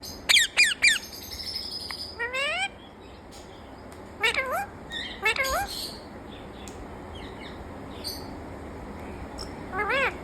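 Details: Talking parrot: three sharp clipped notes open, then sets of rising, wavering harmonic calls with a meow-like, voice-like tone, spaced several seconds apart over a steady low background hiss.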